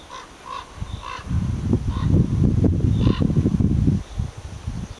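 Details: Ravens perched on a powerline tower, chatting with one another: short hoarse calls repeated in small bursts during the first second, then single calls near two and three seconds, over a strong low wind rumble and rustling.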